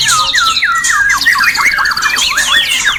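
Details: Singing white-rumped shama (murai batu), a breeding-stimulation recording for caged birds: clear descending whistled slurs and twisting phrases, with a fast, high, evenly spaced series of notes running through the middle.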